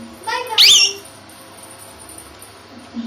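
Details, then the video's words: Tame two-year-old male plum-headed parakeet kept as a talking pet, giving one loud, brief squeaky note with a quick up-and-down twist, against quiet indoor background. "Talking Plum Headed Parrot"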